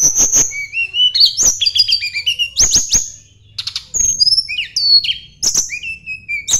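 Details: Sunda blue robin from the mountains singing as if seeking a rival: loud, varied bursts of whistled slurs and crisp clicks, a short pause midway, then more phrases.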